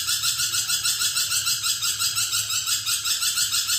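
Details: Continuous harsh, grating screech from a vocal lorikeet, throbbing in quick regular pulses roughly three per second throughout.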